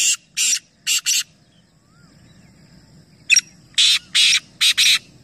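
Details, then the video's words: Calling competition of three black francolins in Nawabshah, Pakistan: two rasping phrases of four grating, broadband notes each, the second opening with a sharp click-like note, separated by a pause with faint background murmur. "Teen Teeter Ek Sath Awaz Competition | Black Francolin"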